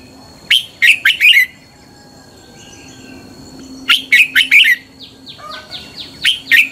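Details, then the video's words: Caged red-whiskered bulbul during morning singing training, fighting song: bursts of four quick, bubbly whistled notes, repeated after a pause of about three seconds, while thin descending chirps from another bird sound in between. "Luyện chào mào hót sáng. chào mào hót đấu"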